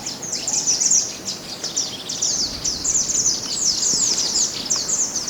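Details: Mountain white-eye in natural surroundings, recorded as tutor song for captive birds: an unbroken, rapid chatter of high, slurred twittering notes, steady and loud throughout.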